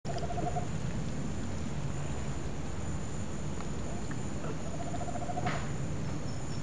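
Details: A Tropical Screech-Owl in Fortaleza, Ceará, north-east Brazil, gives two short, purring trills of rapid low notes several seconds apart, over a steady low rumble of background noise.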